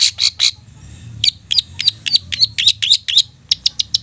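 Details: Long-tailed shrike song meant to rouse silent shrikes into song: fast run of sharp high chips about four per second with little pause, bright and slightly buzzy, over a steady low hum.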